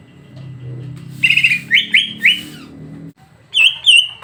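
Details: Greater green leafbird song for provoking another bird into singing: three loud buzzy chattering notes in quick succession over a low hum, a brief pause, then two clear high whistled notes.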